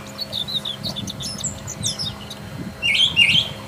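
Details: Wild Brown Thrasher singing actively, a run of short chirpy and slurred phrases mid to high in pitch, ending in a louder burst of notes, with a low rumble beneath.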